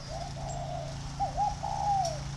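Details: Home-bred tame spotted dove cooing: a soft, hollow run of low coos, then a quick wavering double note and a longer slurred coo that drops at the end, over steady low hum.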